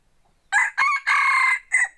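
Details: Hunting decoy rooster crowing loudly: a harsh broken pattern of two quick notes, a drawn-out middle note and a clipped ending, clean with no other sounds.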